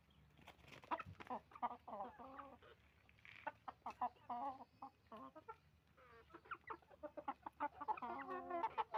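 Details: Roosters and hens on a chicken farm making noise: a busy mix of clucks and squawking calls in irregular bursts, some harmonic and nasal, with quieter gaps between.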